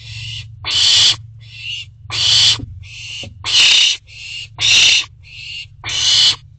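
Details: Owlets in a nest box at night, 29 June 2023, filmed on a box camera: alternating long, harsh hissing screeches and shorter, thinner hisses, about every half second, over a constant low hum.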